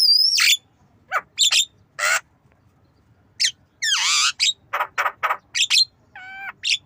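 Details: Varied mimicry from a Javan myna learning to cough: a lively mix of falling whistles, sharp clicks, harsh coughing bursts, a long rasping note and a buzzy stacked-tone call.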